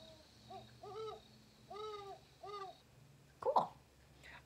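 Great Horned Owl giving four or five soft, deep hoots in a stuttering rhythm. A faint steady hum runs underneath, and a brief bump follows at the end.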